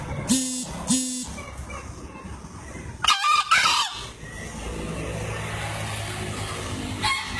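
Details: Two-year-old green junglefowl from Lombok, entered in a 2016 crowing contest, gives two short harsh bursts near the start, then a louder, hoarse, broken crow about two seconds later, with steady background rumble.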